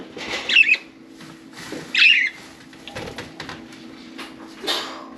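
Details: Four domestic budgerigars playing in and on their cage; spaced, scratchy warbled chirps about a second and a half apart, with light rustling and a constant low hum.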